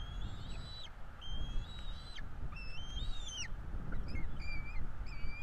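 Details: Bald eagle eaglets at a Florida nest during feeding: high whistled peeps, some rising then dropping sharply, uneven rhythm, with steady low-frequency rumble and occasional short chirps.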